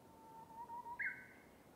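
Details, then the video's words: Japanese bush warbler (uguisu) in a bamboo forest: a soft, low, wavering whistle swells over about a second, then ends in a sudden louder, higher note that fades out. "Japanese Bush Warbler (Uguisu) singing"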